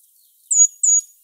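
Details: Brown Creeper giving its call of two clear, very high, thin, sibilant notes about a third of a second apart, each sliding slightly downward, on the Mendocino Coast in winter, in woods, a bird far more often heard than seen.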